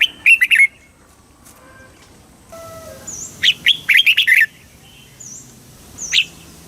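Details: Thailand red-whiskered bulbul singing southern master-style song used to rouse birds and train young ones; short warbling phrases of bright, rippling notes in two bursts plus a single note, over thin high whistles from other birds.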